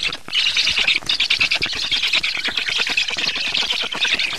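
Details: Black stork at the nest during feeding, 24 June 2017 at 19:52: harsh, rapid rasping squawks run almost without pause, dense and noisy, with a brief gap near the first second.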